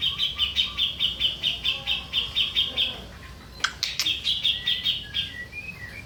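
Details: Master recording of a grey-cheeked bulbul for training birds: a steady run of sharp chirps, a little over two a second, then a brief clatter, then more chatter ending in short upward whistles.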